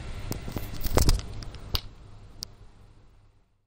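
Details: Scattered clicks, taps and rustling in a small room fade into near silence, with no bird or other animal voice.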